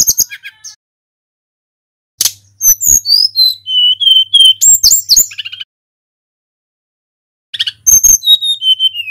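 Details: Tledekan gunung, a local bird, singing a long rolling song used as bait to provoke other birds: bursts of high sharp chirps, then clear whistled notes sliding downward, with quiet pauses between phrases.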